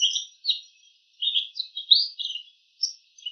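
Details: Wild bull-headed shrike imitating the calls of other bird species; short varied chirps and warbled notes in bursts, with brief pauses between phrases, clear and unaccompanied.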